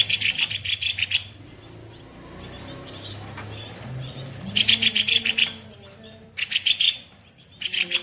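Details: Kopi-kopi songbird rough-shot song used to train other songbirds: repeated bursts of quick, scratchy, high-pitched chirps several times a second, broken by quieter stretches with low murmuring sounds in the background.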